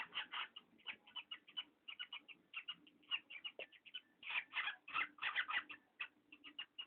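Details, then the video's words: Parrot giving creaky, grating squeaks in quick irregular bursts, some notes stacked closely together, growing louder and busier toward the middle before settling back into shorter scattered squeaks. "Попугай скрипит"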